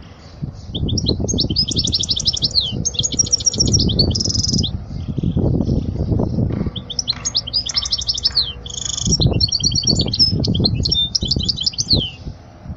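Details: European goldfinch song for teaching young goldfinches: repeated bursts of fast twittering with buzzy trilled notes, over intermittent low rumbling noise.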